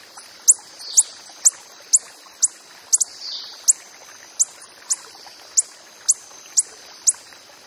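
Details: Steady series of thin, sharp high chips from a coppery-headed emerald in the wild, roughly two per second, one pair doubled, over soft background rushing.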